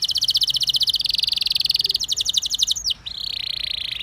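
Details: Canary rolling song played to get other canaries to join in: long rapid metallic trills, pitch stepping between sections, a brief break, then a lower steady buzzing roll.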